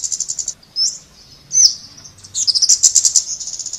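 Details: Scarlet-backed flowerpecker singing in high sibilant notes: a brief trill, two separate sharp slurred tsips, then an accelerating rapid ticking series to the end.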